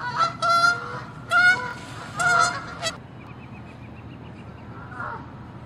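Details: Canada geese fighting and honking in a territorial, angry chase by water and land: three loud bursts of harsh, nasal honks with rich overtones in the first three seconds, then fainter high squeaky notes and a last soft honk.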